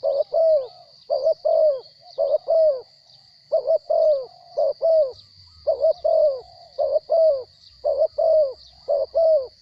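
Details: Spotted dove, a captive wild bird with a small voice, cooing in quick paired and tripled notes of mid pitch, phrases repeated roughly every second, over a constant thin high-pitched hum.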